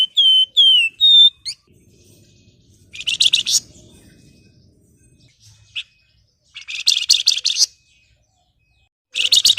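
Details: Flamboyan singing vigorously, a recording meant to coax lazy birds into song: opening clear whistles with slurred tails, followed by dense buzzy chattering bursts repeated with pauses, faint low rumble beneath.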